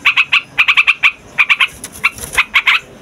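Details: Trucukan song used as a trapping lure and tutor for young birds: short clusters of three to four harsh chattering notes separated by brief gaps, with faint higher chirps in the background.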